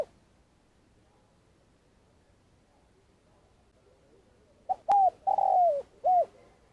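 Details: Spotted dove serving as a trapping lure in Vietnam: several seconds of quiet, then one phrase of a soft note, a coo, a long falling croon and a final coo, with a sharp click.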